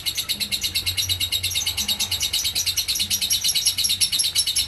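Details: Lovebird giving ngekek in the konslet style: a long, unbroken, high-pitched chattering trill of rapid, evenly repeated shrill notes that runs without pause through the whole stretch, with faint low hum underneath.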